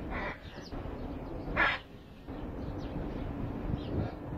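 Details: Hyacinth macaw playing makes two harsh, raspy squawks, the first brief at the start and the second louder a second and a half later, with scattered faint bird chirps and a low hum behind.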